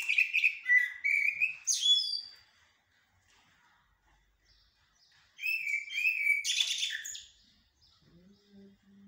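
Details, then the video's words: Common blackbird (jahmumiya, shahrour) performing haddadia and military styles: two separate song bursts, each a low fluty warble rising into shrill squeaky twitters, with a long pause between and a faint low hum at the end. "طائر الجحمومية أو الشحرور بتغاريد حدادية و عسكرية"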